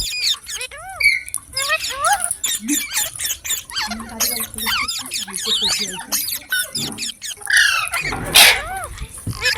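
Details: A flock of green parrots chatters with looping, rising-and-falling squeaks and short harsh calls, then a loud burst of noisy screeching near the end.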